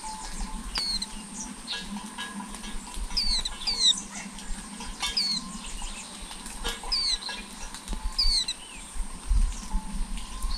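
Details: Flowerpecker nestlings filmed with a nest camera across eleven days as they grow: repeated high, thin, descending squeaky notes at irregular short intervals over a steady low hum and background noise.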